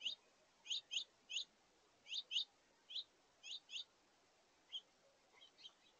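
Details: A house finch family at a feeder in August, young birds feeding alongside adults: repeated high, sharp chirps, often in pairs, about a dozen over six seconds, with softer twittering near the end.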